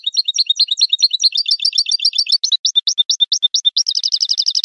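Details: European goldfinch in the clean 'limpio' song style: a continuous rapid twittering of paired high notes that shifts into evenly spaced chirps, then a fast, tight trill. Loud and clean, with no other sounds.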